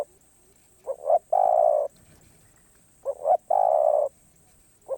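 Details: Spotted dove singing karom pa roi: two phrases of two brief rising coos and a long low sustained coo, a third phrase just starting, with a steady faint high-pitched hum.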